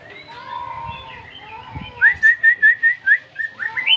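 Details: Newly bought caged greater green leafbird singing right after being whistled at: soft drawn-out whistles, then a quick run of about nine bright, slurred notes repeated at an even pace, ending in a higher upslurred note.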